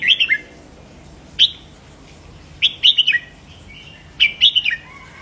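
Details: Stimulating song for caged red-whiskered bulbuls: cheerful rolling whistles in three-to-five-note phrases sliding downward, one isolated sharp note, then two fuller phrases near the end.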